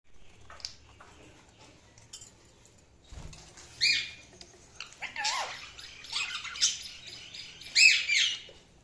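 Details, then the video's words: Budgerigars chirping: faint scattered chirps early, then louder bursts of warbling, buzzy chatter from about four seconds on, with rising and falling whistled notes. "Budgies Sounds| Budgies Chirping sound"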